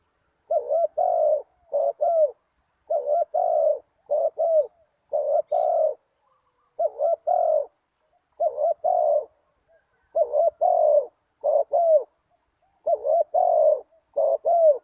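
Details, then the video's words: Lure recording of a spotted dove for catching wild doves: steady series of soft, hollow coos grouped in twos and threes, phrases repeating every second or so over a quiet background. "Chim cu gáy chiêu kích mồi tập bổi nhanh nổi hiệu quả"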